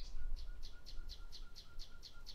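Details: Common nightingale singing a steady series of short, high repeated notes, about four per second, over a faint lower whistle and a low background rumble.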